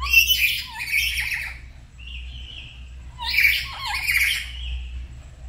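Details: Two pet black-capped lories at home duet in the morning, practising 'gacor' song: two long, raucous bursts of mixed squawks and chattering notes, joined by a drawn-out level whistle, with low background hum.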